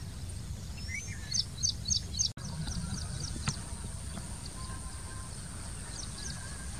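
Tricoloured munia giving thin, high, quick peeping notes in short bursts, several per second, then fainter, over a steady low rumble of background noise.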